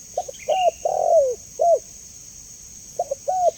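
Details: Clear spotted dove call for training and luring: a quick run of low coos ending in a long falling note, a faint high chirp early on, then a stuttering restart, over a steady high hum.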